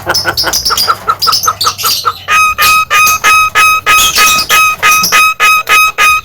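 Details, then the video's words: Javan myna, a white-eyed bird in loud full song: rapid harsh chattering notes, then a run of evenly spaced clipped whistled notes about three per second, sharp and metallic. "burung jalak kebo mata putih gacor losss"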